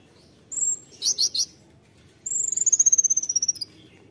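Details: Konin singing a 'tembakan' phrase: three buzzy high chip notes, then a thin, very high whistle that breaks into a rapid trill of about fifteen pulses, slowly falling in pitch. Quiet background.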